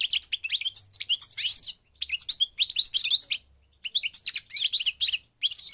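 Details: Parva goldfinch from Morocco in North Africa delivering dense, rapid twittering song phrases of high tinkling notes, broken by two brief silences.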